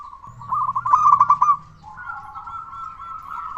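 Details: Zebra dove, a loud local singer used as a lure to rouse silent or stressed doves; a quick rattling trill of coos, then a long, even, drawn-out coo with a slightly rising tone.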